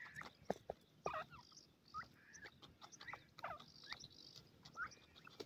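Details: Grey francolin chicks foraging and dust-bathing on sandy ground. Brief high peeps and thin squeaks sound every second or so over scratchy rustling, with a faint high whine in the background.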